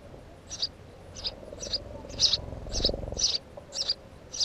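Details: House sparrow uttering quick, bright chirps about twice a second, with a low rumbling noise in the middle of the sequence.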